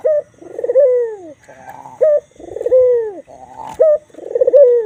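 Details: A white Barbary dove with black neck ring performs its coo, a crisp short note leading into an extended vibrating coo that sinks toward the end, repeated about every two seconds; a faint click near the end.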